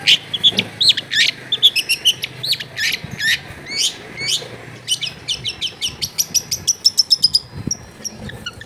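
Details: Long-tailed shrike singing a busy song full of borrowed phrases, recorded at home amid crowded housing: varied high whistles and chirps, then a long rapid series of sharp repeated notes near the end.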